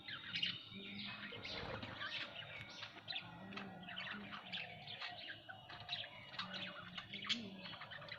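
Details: Budgerigars kept at home, several birds together, giving dense overlapping chirps, squeaks and warbling chatter that continue throughout, with a faint steady low hum or music-like tone underneath.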